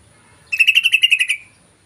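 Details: Lure call of a yellow-vented bulbul: a single quick run of about ten harsh, evenly spaced notes, 'cruk-cruk-cruk', held at one pitch and fading at the end, over near silence.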